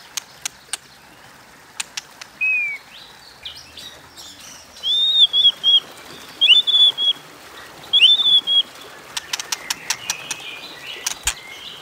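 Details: White-rumped shama fight-provoking song, 'kéo thuốc lào' style: sparse, high, clear whistled phrases with twisting notes, separated by pauses and accompanied by scattered sharp clicks.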